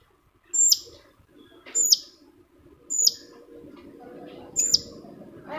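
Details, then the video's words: Long-tailed shrike (cendet) lure song, meant to set off another shrike's singing. Four thin, very high whistled notes each end in a short buzz, spaced a little over a second apart, with low background murmur. "PANCINGAN CENDET MALAS BUNYI SEKETIKA CENDET LAIN LANGSUNG NYAUT!!! | Singing of shrike bird"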